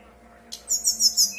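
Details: Brown-chested jungle flycatcher in a fluting, nonstop song used as a lure to get other birds to answer and sing: a short rising swish, then four bright, very high chirping notes in quick succession.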